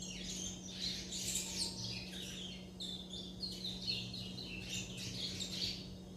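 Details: Young chestnut-bellied seed finches, called curió, kept as owned birds, churrilhando: dense bursts of high chirps and twittering notes in clusters, nearly continuous over several seconds, with a steady low hum underneath.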